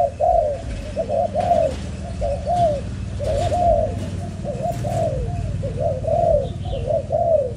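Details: Spotted dove, a young Malaysian-type breeding bird, cooing steadily in paired short notes and longer arched coos, repeated almost every second, with faint clicks and a low hum behind.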